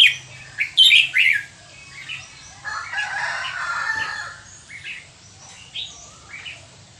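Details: Burmese-type red-whiskered bulbul at Dan Singkhon, Thailand, giving sharp, rich whistled notes early on, then a softer rambling passage and scattered chirps, with a faint low hum throughout.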